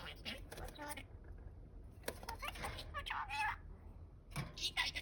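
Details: Indoor male budgerigar chattering alone as its partner sits on a clutch of eggs: quick, murmured speech-like phrases mixed with raspy bursts and a brief whistled note, faint background hum throughout.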